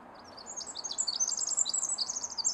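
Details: A loud, bubbling Pacific wren song from deep forest in the Pacific Northwest: rapid high tinkling notes run together into long trills, the phrase accelerating and intensifying, with faint low traffic-like rumble.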